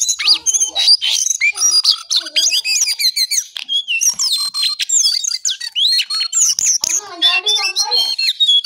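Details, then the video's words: Brown songlark singing in the morning: a fast, unbroken stream of high, varied whistles, creaky notes and chattering trills, with quick rising and falling phrases and no pauses. "Jongkangan/cingcoang coklat Gacor Pagi Sekali"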